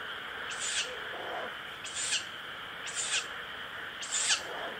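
An owl chick gives four harsh, breathy hisses, each about a third of a second, roughly one per second, over a steady high insect-like drone.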